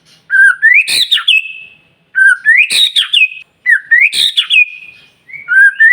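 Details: White-rumped shama singing to provoke other shamas into song: three loud phrases roughly two seconds apart, each a rising whistle ending in a sharp high crack and a sustained whistled tail.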